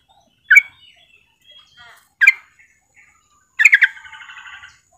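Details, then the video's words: Female Yellow-vented Bulbul calling to a male: three bursts of bubbly, liquid notes about two seconds apart, the last running into a quick chattering trill. "trucukan betina memanggil jantan"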